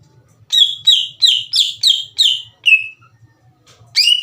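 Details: Greater green leafbird in energetic song, used to raise rivals' aggression: a steady run of seven bright, downward-slurred whistles roughly three per second, a short silence, then one more rising whistled note.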